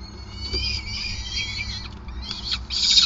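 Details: Nesting peregrine falcon in Groningen, 5 May 2020, during feeding; layered high, strained calls run through most of the recording, growing louder and rougher toward the end, with a steady low hum beneath.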